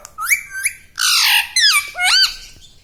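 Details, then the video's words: Pet talking parrot that is taught to say "radhe radhe", giving a short run of harsh, harmonic squawks. The notes rise and fall, about five in under three seconds, and two longer slurred notes end the run. "bolta parrot"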